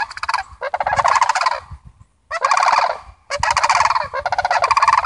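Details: Four bursts of harsh, rolling rattles come from a visiting Sandhill crane family, each about a second long, with short silent gaps between them.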